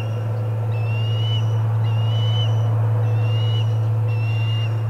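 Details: Osprey at the Charlo nest on 25 August 2020, during the first food delivery of the day: four clear, high whistled notes, each slurring upward, spaced unevenly about a second apart, over a steady low hum.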